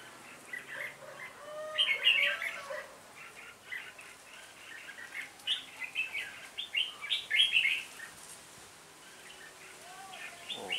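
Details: Lead decoy red-whiskered bulbul drawing wild birds to a trap on 26 November 2017: a long, busy stretch of rapid bright chirps and twitters, several voices overlapping, with low whistled notes now and then.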